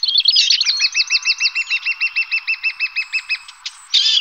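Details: Lesser spotted woodpecker feeding its young, a clear, evenly spaced series of high squeaky kee notes, roughly three a second, each doubled by a lower tone, ending in a short burst of harsh chatter.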